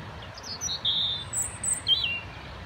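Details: European robin singing outdoors while marking out its territory: a few short high warbled phrases, thin whistles and quick trills separated by brief pauses, over a soft low background rumble.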